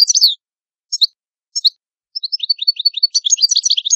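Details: Italian goldfinch opening with sharp chips, then breaking into a rapid, continuous run of bright twittering and tinkling notes, in a quiet setting.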